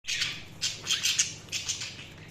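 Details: Budgerigars chirping: bursts of harsh, buzzy high chatter in short clusters, several in quick succession with brief gaps, over a faint low hum.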